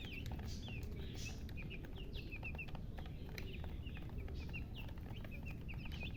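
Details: Chicks of a domestic chicken peeping softly, scattered high falling chirps among clicking and rustling, over a loud low background drone.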